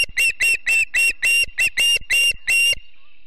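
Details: Montana osprey family at a nest near Charlo on a September morning, 7 September 2016, live nest camera: nine sharp, piercing whistled chirps in under three seconds, evenly spaced and strong, ending in quiet.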